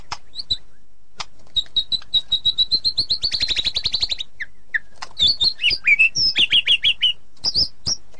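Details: White-rumped shama giving a long even trill of high, identical notes that speeds up, followed by a burst of varied sharp whistles and chirps.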